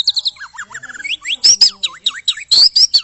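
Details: Aggressive white-rumped shama song used to provoke other birds: fast, loud sequences of slurred whistles sweeping up and down, with repeated V-shaped notes and bright high accents.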